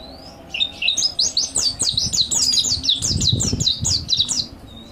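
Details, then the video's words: Mountain white-eye master song for training birds: a single dense run of quick, high, whistled chirps lasting about four seconds, over faint low rumbling. "MASTERAN PLECI MONTY GACOR NEKBAK ISIAN MANTAP | MANTERAN PLECI MONTANUS ISTIMEWA"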